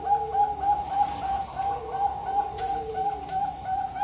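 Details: Actively singing zebra dove used as a lure for other doves, local or Bangkok bird: quick, evenly repeated bright coo notes, about three a second, over a softer, lower rolling cooing layer.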